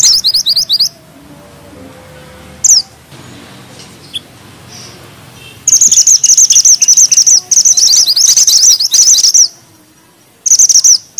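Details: Bushchat singing vigorously in a tight rolling style with sharp shots: a brief trilled burst, a long quiet gap, then a sustained run of very high, rapid, chattering notes lasting about four seconds, followed by another short burst.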